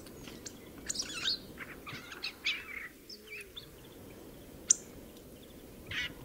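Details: Hawfinch song: short, sharp, high chirps and clicks in scattered bursts, with a few thin whistled notes, over a steady low background hiss.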